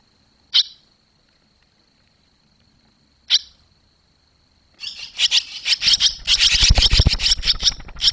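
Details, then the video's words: Barn swallows at the nest on fledging day, 21 July 2023, after the first young left two days earlier; two lone sharp chirps, then a dense burst of rapid twittering over rumbling noise. "Boerenzwaluwen vliegen uit"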